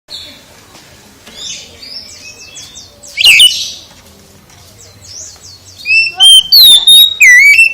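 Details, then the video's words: Oriental magpie-robin singing in the morning: a quiet opening of faint chirps, then loud clear whistled phrases near the middle and a burst of sharp rising and falling whistles toward the end. "KICAU KACER pagi HARI"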